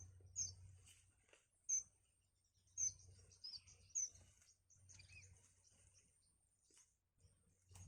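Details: Nestlings pressing their mother for food in the nest; sharp, very high squeaks come in short bursts a second or so apart, mixed with softer twittering and a low background hum.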